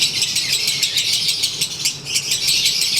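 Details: Konslet lovebird sunbathing, in the middle of its daily ngekek: a steady, rattling stream of shrill chattering notes packed tightly together, with no pause and no other sound.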